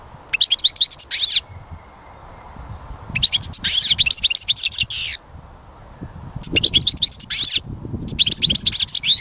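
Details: Four separate bursts of European goldfinch song, each a dense sequence of high tinkling trills and twitters lasting one to two seconds, with short silences between and low rumbling background noise.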